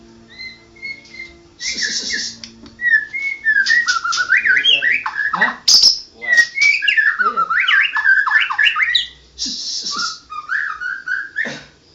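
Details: Champion white-rumped shama singing continuously: rich, fast varied whistles jumping up and down in pitch, mixed with harsh buzzy bursts and rapid chattering notes over about twelve seconds.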